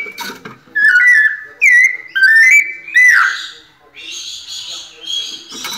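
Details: Pianado-style song of a captive white-necked thrush in Brazil: four loud, slurred whistled phrases in quick succession, followed by softer, higher chattering notes and faint indoor background noise.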